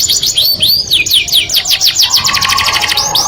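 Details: Canary song said to attract the opposite sex: a series of rising whistled slurs gives way to a fast rattling trill over a steady lower tone near the end.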